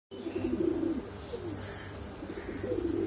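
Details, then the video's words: Domestic pigeons of Exhibition Homer and Shiraji breeds giving a boom call: low, humming coos that rise and fall in short phrases, over a steady electrical hum and faint room noise. "Exibition Homer and Shiraji pigeon boom call"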